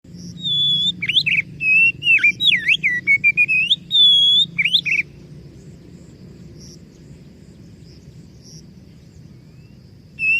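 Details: Oriental magpie-robin in full gacor song: a loud burst of clear whistled notes, slurred up and down with sharp rising and falling sweeps, for about five seconds, then near silence with faint high tones, and the song resuming at the end.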